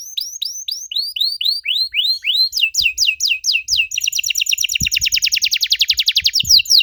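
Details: Canary song used to prompt young canaries to answer: a series of high, downward-curving whistled syllables repeated about twice a second, then a switch to a rapid, dense buzzy trill that speeds up toward the end.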